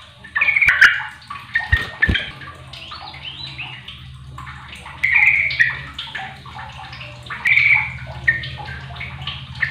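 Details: Yellow-vented bulbul (trucuk receh) calling to other bulbuls, which answer back: short bubbly chattering phrases in several bursts, about every two to three seconds, over steady low background hum and light dripping-like noise.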